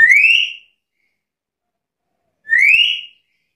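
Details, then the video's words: Black-capped lory giving two loud rising whistles, each about half a second long, sliding upward and leveling off with strong overtones, separated by a gap of about two seconds of silence. "Suara burung nuri kepala hitam gacor isian komplit"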